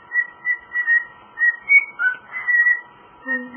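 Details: Male pet cockatiel whistling Jingle Bells: evenly spaced, clear whistled notes at a steady pitch, one higher step and a falling slur midway, then a long held note and a couple of lower tones at the close.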